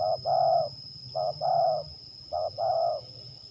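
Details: Zebra dove (terkukur) singing in a contest trial in Liwa, West Lampung, Indonesia; three phrases, each a clipped coo then a longer rolling coo, repeated roughly every second and a half, with a faint constant hum behind.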